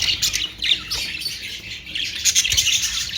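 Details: Budgerigars, known as Australian parrots, warble and chirp rapidly in a shrill, unbroken stream of overlapping notes.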